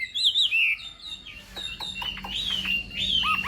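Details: Chinese hwamei in contest singing during morning practice: a few bright whistled slurs, then softer scattered chips and short upward whistles with brief pauses, a faint steady hum behind.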